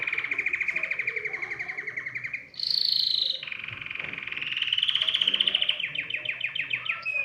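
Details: Excited canary singing a song meant to stimulate other birds to sing, used for canary training: rapid rolling trills, a brief higher buzzy phrase near three seconds, then a long steady trill ending in quick, sharply repeated notes.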